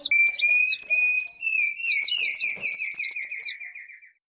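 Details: Bird lure sound: one long, steady whistled tone held for about four seconds while quick, high, downward-slurred chirps repeat about three times a second above it.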